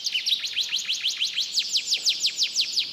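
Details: Canary from Comal, Pemalang, Central Java, Indonesia, with mixed imitated song: a steady series of high down-sweeping notes repeated about five times per second, evenly pulsed throughout.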